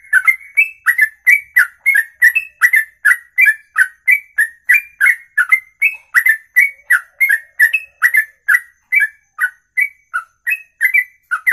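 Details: Ropelan song from a bird singing over two minutes in a single breath; unbroken, fast run of short whistled notes, around three per second, wavering up and down in pitch with ticking edges, otherwise silent.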